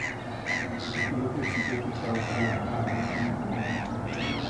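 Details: Pair of Eurasian coots feeding tiny chicks; clear, evenly repeated arched calls, about two per second, each a short rising-then-falling note, with steady low background noise.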